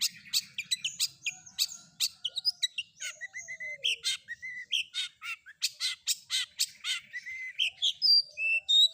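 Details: Long-tailed shrike, combination filler song used to provoke other shrikes into answering. A busy, varied stream of scratchy notes mixes with short whistles and a descending slurred note. The phrases are delivered rapidly and unevenly.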